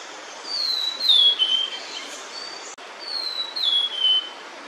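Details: A female blue-and-white flycatcher with chicks sings while holding food in her bill, apparently lingering to hide her nest from an observer: two short phrases of clear, high, downward-sliding whistles, the second repeating the first after about a second.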